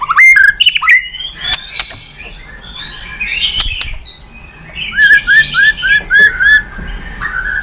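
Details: White-rumped shama song used to provoke other birds: varied whistles and chatters opening the phrase, then a run of five evenly repeated slurred whistles before a final longer note.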